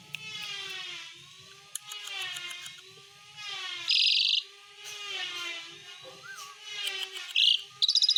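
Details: Asian pied starling (jalak suren) singing vigorously in the besetan isian style, rich in mimicked bird voices: long buzzy, harmonic-rich phrases with sliding overtones, broken by a loud harsh burst midway and sharp clicks, with a faint low hum beneath.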